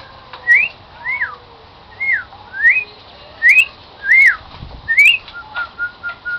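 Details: Domestic cockatiel singing "Song of the Garden" as a run of about seven sharp rising-then-falling whistled notes, spaced roughly every second. A few short even whistles follow at the end, with faint room sounds.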